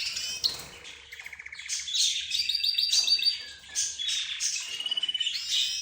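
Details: Cage birds of several kinds, including budgerigars, zebra finches and a canary, calling and singing together: bright overlapping chirps, short trills and warbled phrases with fast repeated notes throughout.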